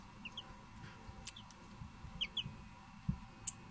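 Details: Silkie chicks peeping softly: a few short, high, downward-slurred chirps scattered irregularly over a low background rumble, with a dull knock near the end.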